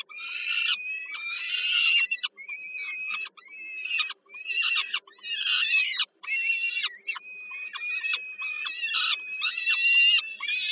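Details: Hungry peregrine falcon chicks being fed by their mother at a nest in Żerań, Warsaw, Poland, July 2022; loud, raspy, overlapping screeches repeated almost without pause, harsh and buzzy throughout.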